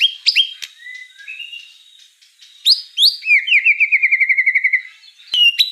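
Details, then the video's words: A white-rumped shama sings actively, mixing sharp whistled notes and soft low warbles, then a quick descending flourish leading into an even, rattling trill of about fourteen notes; a final bright whistle closes it. "Suara kicau burung murai batu gacor"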